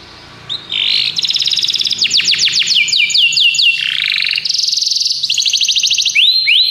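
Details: Belgian canary training song: a short buzzy note, then fast ticking trills, sweeping downslurred whistles, rolling warbles and more rapid trills, with a faint low hum behind.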